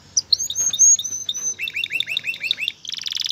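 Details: Male canary singing to stimulate a female toward mating and nest building. Bright high chirps run into a quick series of repeated curved notes, ending in a dense buzzy roll.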